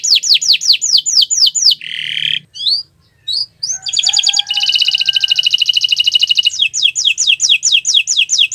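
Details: Friday-morning canary in gacoran style: rapid downward whistled sweeps, a rasping buzz, scattered chirps, then a long rattling trill that turns back into quick falling whistles.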